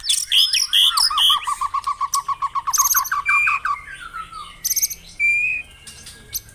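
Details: White-rumped shama song used in a morning dewing session to stimulate caged birds to sing: rapid series of rich whistled and rattling notes, repeated quickly, then sliding high whistles and bright chirps.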